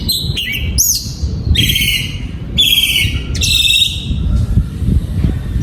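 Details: Song of an oriental magpie-robin kept in a breeding aviary in 2022: loud, separate whistled notes and sweeping phrases, each followed by short pauses, with low background hum throughout.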